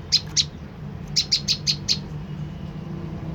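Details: Olive-backed tailorbird call played to provoke an answer: two sharp high chips, a brief gap, then five evenly spaced bright chipping notes, with a low background hum.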